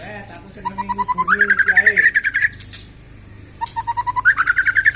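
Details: White-rumped shama, young and just out of spotted plumage, singing its repertoire. Short notes repeat about three times a second, stepping upward from a low whistle to a higher pitch. After a brief pause the sequence begins again.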